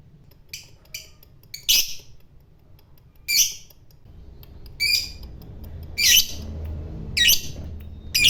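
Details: Lovebird, fighter type, giving scattered harsh high squawks at irregular intervals of one to two seconds, with faint clicks and a low background murmur.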